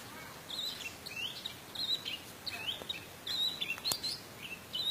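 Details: Orange-headed thrush song meant to provoke other birds into singing: a varied run of high, quick whistled and scratchy phrases, irregularly spaced, with faint background noise.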